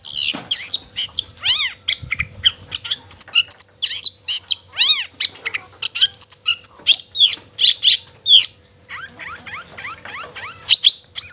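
Long-tailed Shrike pours out a fast, scratchy medley of chattering notes, sharp chips and ringing arched whistles with barely a pause. A faint steady hum runs underneath.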